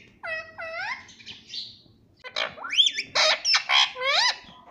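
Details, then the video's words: Pet parrot giving a series of loud squawks with curving, bending tones, first a pair of rising calls, then a burst of harsh, chattering screeches repeated in quick succession. "आज तो kitu ki aavaj mast hai"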